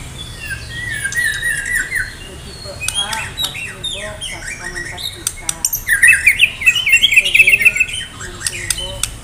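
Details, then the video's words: Medan-type white-rumped shama singing hard with full fill-ins, said to be contest-ready: scattered whistles and harsh squawky notes, then a fast rattling trill of rapid chattering notes midway, with a faint voice in the background. "murai batu medan gacor siap ikut lomba || murai batu gacor full isian || murai batu gacor"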